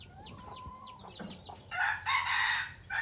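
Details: Red junglefowl decoy of the old Phatthalung strain, kept for luring wild birds, breaks into a strident multi-part crow after a series of sharp, repeated down-slurred whistles from other birds nearby.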